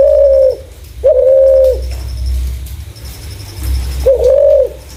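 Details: Spotted dove used as a lure for other doves: three smooth, level coos, each under a second, the last after a longer pause, over low background rumble and a faint high pulsed tone.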